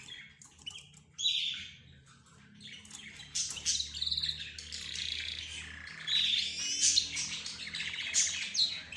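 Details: Pet budgerigars, zebra finches and a canary sing and chatter together. Sharp whistled notes and warbling trills rise from a quieter start into continuous high twittering.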